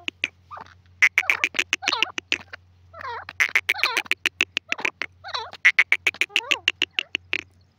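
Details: Francolin (teetar) chorus-like calling: dense, rapid rattling series of sharp notes interwoven with wavering, descending calls, continuous over nearly eight seconds above a low steady hum.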